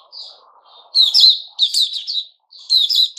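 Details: White-crowned shama (Puteh Raja) in its new-feather season: bright warbled phrases high in pitch, a soft opening whistle, then three loud bursts of rapid, tumbling notes separated by short pauses, over faint low background noise.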